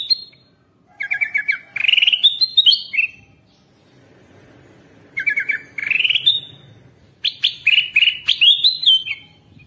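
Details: Wild-bird lure sound of the Kutilang Emas bulbul: rapid stuttering chirps rising into a bright whistled sweep, repeated in three bursts with pauses between them.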